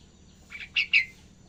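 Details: Young yellow-vented bulbul learning ngacor, continuous singing, gives one short phrase of three bright chirped notes, the last the loudest, over a quiet background.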